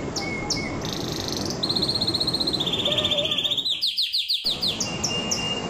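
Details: Excited canary in full song, running fast rattling trills that step down from high to middle pitch, then a burst of sharp descending chips, with a constant hiss behind.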